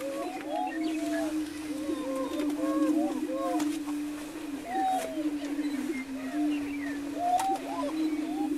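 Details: Greater prairie-chickens on a lek near Wray, Colorado, on 17 April 2011: displaying males boom together in a low, humming, almost unbroken moan, laced with frequent higher whooping and cackling calls.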